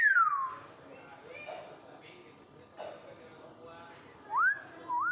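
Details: Common hill myna learning to talk: a clear whistled note sliding downward at the start, then a pair of rising and falling whistles near the end, while a person keeps asking "Apa?" in a small room.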